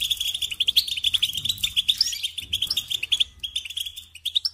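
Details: Loud, rapid European goldfinch song for training young birds, bright twittering notes tumbling over one another almost without pause, with a low background hum throughout.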